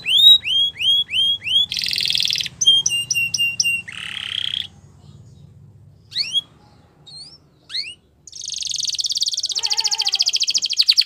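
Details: Singing Belgian canary delivering varied phrases: a row of upward-hooked whistles, buzzy harsh bursts, short pauses with scattered chirps, then a long dense rattling trill at the end.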